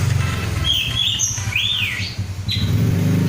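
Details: Kept oriental magpie-robin, an untrained bird singing vigorously: a few clear whistled phrases, including a long level note and a rising-then-falling slur, over steady low engine and traffic rumble.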